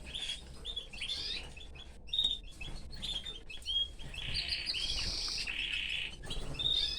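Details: Caged canary among his family, giving bursts of sharp chirps, thin whistled notes and a long buzzy trill, with overlapping calls and faint rustling in the cage.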